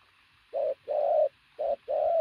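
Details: Two loud coo phrases from a sturdy decoy pigeon, each a short note followed by a longer, steady one.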